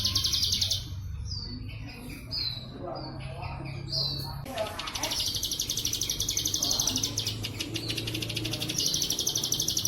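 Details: Plain prinia in 'bren cililin' style song, meant for training kept birds: a few clear rising whistled slurs, then long continuous high buzzy trills of fast repeated notes, with faint low hum beneath.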